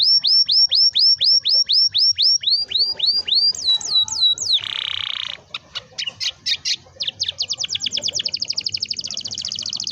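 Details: Canary in long rolling song meant to coax young or reluctant canaries into singing: a run of repeated high sweeping whistles, a brief harsh buzzy burst, then quick clicks and a rapid high trill.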